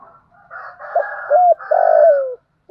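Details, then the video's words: Lure-calling spotted dove in the thổ voice style: a rough buzzy lead-in, two short rising-falling notes, then a long loud coo that droops steadily toward its end. "Tiếng cu gáy giọng thổ gáy gọi, cu gay kich boi nhanh noi gù"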